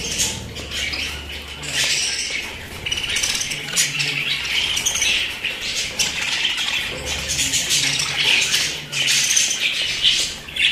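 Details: Pet budgerigars keep up a loud, steady chattering of harsh chirps, squeaks and scratchy warbled notes, with a faint low hum in the background.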